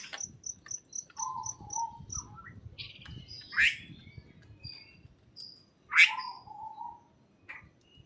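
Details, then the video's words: Birds chirping in a greenhouse, with a run of high ticking notes at the start, low whistles, and two loud rising chirps, over a rumbling low background. "Greenhouse and the chirping sound of birds"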